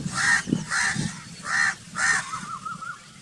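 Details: Crow cawing four times in a steady series, each caw hoarse and broad, about half a second apart, trailing off into a fainter drawn-out note.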